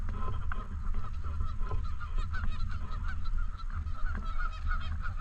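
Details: Flock of Canada geese at a park lake, honking almost continuously with many overlapping short nasal calls, set against heavy low-pitched background rumble.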